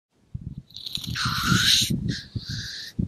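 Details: Black grouse displaying at a morning lek to impress the greyhen and deter challengers: a low, rapid bubbling rumble under a loud, drawn-out hissing sneeze, followed by a shorter second hiss.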